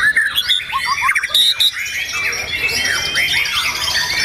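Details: White-rumped shama (murai batu) singing at a songbird contest on 9 April 2023, its first contest appearance after moulting: a rich, fast run of varied whistles and sweeping, slurred notes, with other birds calling alongside.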